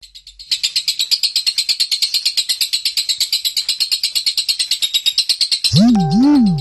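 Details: Home-kept lovebird singing in the konslet style, a long nonstop song: a fast, steady chatter of high, dense buzzy notes about three per second, ending with a brief lower wavering tonal sound.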